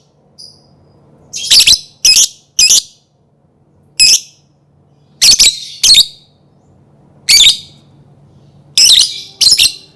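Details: Lovebird calling in short, sharp, high-pitched screechy bursts, about nine in ten seconds, some in close pairs, separated by quiet gaps; faint low hum in the background.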